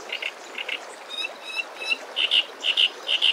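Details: Hungry wagtail chicks in a nest hidden in spring foliage call as the parent brings insects caught over water: high, thin paired chirps repeated about twice a second, growing louder toward the end, over a faint hiss.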